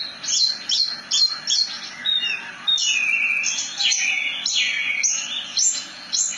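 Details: Javan bush lark song in the ngerol nembak style: a few quick staccato chirps, then a sustained, wavering whistled roll and more sharp high notes.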